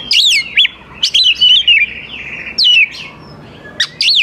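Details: Lure song of an oriental magpie-robin meant to draw young wild birds into singing: clear high whistled notes, sweeping up and down, in short phrases separated by pauses.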